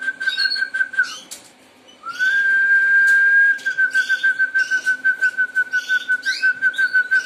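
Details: Harz Roller song with a rolling tour that drops off after a second. After a pause it returns as a long, smooth, even-pitched roll, then breaks into rapid rhythmic pulses at the same low pitch. Light chirping sounds in the background.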